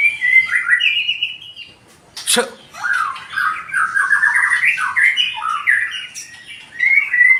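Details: White-rumped shama with a 20 cm tail in strong song: descending whistled trills, then a sharp broadband crack followed by dense, varied warbling phrases.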